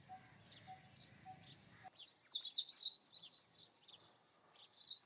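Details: Indian robin, Copsychus fulicatus, song: a few bursts of bright, high, twittering notes around the middle, then softer scattered chirps; a low hum fills the quiet opening second and a half.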